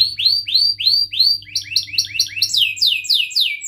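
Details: Chirping canary song used as a lure for young canaries learning sounds: five clear whistled upward-curving notes, then quicker doubled chirps and a run of falling sweeps, repeated roughly three to four per second.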